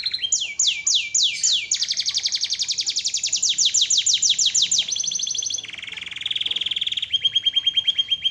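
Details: Canary in full song: a run of loud downward-sweeping slurred notes, then a long fast trill, shifting to lower rolling trills, all delivered continuously.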